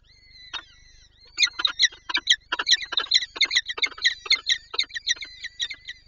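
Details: Peregrine falcon in Lublin, Poland, 23-04-24, eager to feed its young: one thin wail followed by a fast, uneven stream of harsh chattering notes, over two per second, with slurred whistled tones threaded through.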